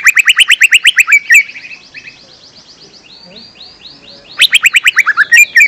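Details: Young-bird lure song of a lesser green leafbird, opening with a fast series of about a dozen evenly spaced chirps, a long soft buzzy rattle, then another quick chirp series ending in a slurred whistle.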